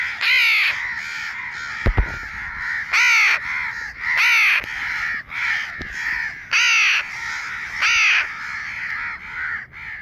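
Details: Baby crow calling: harsh, nasal caws with a rough, layered tone, given in short bursts about every one to one and a half seconds, with a few sharp clicks in between.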